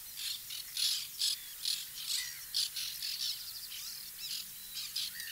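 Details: White-winged terns calling at their nesting colony, scratchy harsh notes repeated roughly twice a second, with thinner whistled notes from other birds between them.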